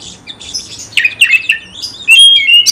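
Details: Oriental magpie-robin (kacer), kept caged, singing in a way meant to trigger fighting: soft scratchy twitters, then mid-pitched warbling slurs and a loud clear level whistle held near the end.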